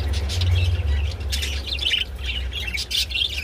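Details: Budgerigars during mating, with bursts of scratchy warbling and sharp chirps, gaps between phrases, heard over heavy low rumbling hum.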